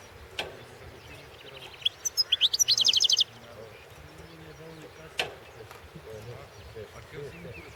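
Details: Competition entry, 2016 world goldfinch song championship: after a faint click, a European goldfinch sings one accelerating, chattering trill of bright notes lasting just over a second, with a low hum behind.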